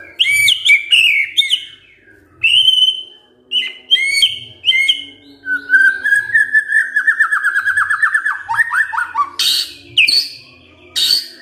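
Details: White-rumped shama giving a kretekan fighter call meant to provoke other birds into answering: loud clear whistled notes, then a fast trill of repeated falling notes, ending in sharp high bursts.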